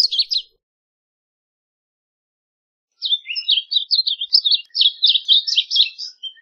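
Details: Varied bunting singing: the tail of one phrase, a pause of about two and a half seconds, then a hurried, scratchy warble of quick slurred high notes lasting over three seconds.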